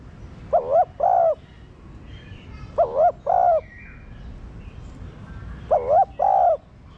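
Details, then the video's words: Spotted dove coo meant to stimulate captive doves: three two-note phrases of low soft hoots, the first note quavering, the second drawn out, separated by pauses of about two seconds with faint twittering behind. "Cu gáy kích bổi nhanh nổi"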